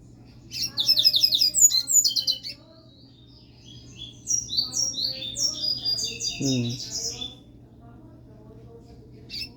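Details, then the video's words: Pet Double-collared Seedeater in song: an opening burst of fast twittering notes, a pause, then a longer string of sharp repeated chirps and trills. A brief human voice cuts in midway, with a low steady hum throughout. "Coleiro Furacão USA soltando canto"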